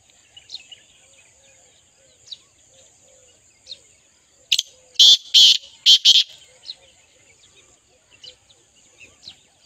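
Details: Partridge giving a sudden burst of four or five loud, harsh, rasping notes in quick succession midway, with faint chirps and twitters of other small birds before and after.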